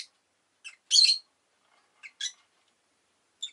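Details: Pet rosy-faced lovebird (Agapornis roseicollis) giving harsh, high chirps in short bursts, one louder squawky note near the start, then scattered sharp chips, with possible city noise such as traffic in the background.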